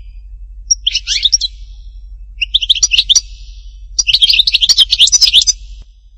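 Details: European goldfinch from Hattatba, Tipaza, giving short twittered bursts that build into a longer rapid jingling phrase of sharp chirps.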